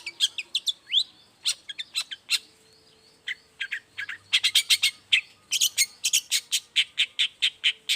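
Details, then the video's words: Long-tailed shrike's morning song, used to prompt silent shrikes to answer: varied chirps and a rising slurred note, a short pause, then a rapid, steady run of sharp clipped notes toward the end. "toet toet Suara cendet gacor Pagi Hari pancingan jitu BIKIN cendet diam langsung nyaut ikutan bunyi"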